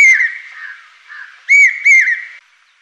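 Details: Common hawk-cuckoo, the brainfever bird, calling: loud shrill whistled notes, one then a pause of over a second, then two more strong rising notes in quick succession, clean and piercing with no other sounds.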